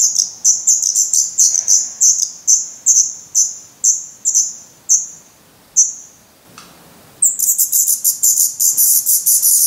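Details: Hungry Black Redstart nestlings in Portugal, 17 May 2020: sharp high begging notes about twice a second slowly fade to a brief silence with a soft thump, then a loud dense burst of calling follows.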